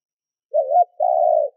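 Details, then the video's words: Decoy spotted dove calling to provoke wild doves. A soft wavering low coo runs into a sustained, even, mellow note about half a second long. There are no other sounds. "Tiếng cu gáy mồi thúc gù kích bổi Hiệu quả"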